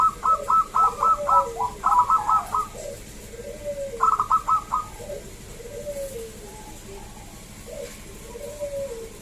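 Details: Local zebra dove singing, meant to lure other zebra doves into song; two rapid runs of bright staccato coos, then a shorter run, over softer lower cooing from other doves.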